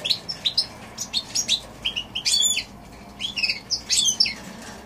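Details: January 2016 recording of a goldfinch x canary hybrid: evenly spaced chirps rising and falling, then a dense run of twittered notes and a brief buzzy phrase toward the end.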